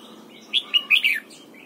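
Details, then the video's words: Red-whiskered bulbul in morning song training, giving a brief run of four bright, liquid whistled notes ending in a falling slur, set against low background noise. "Luyện giọng chào mào hót sáng, ép chào mào hót âm kép già rừng hay tuyệt!"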